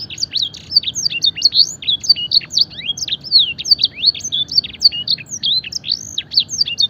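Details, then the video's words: Canary singing a masteran training song imitating blackthroat and edel sanger: continuous, loud, rapid high chirps and down-swept whistles packed tightly together, energetic and unbroken throughout. "masteran suara burung kenari full isian mewah blackthroat dan sanger gacor"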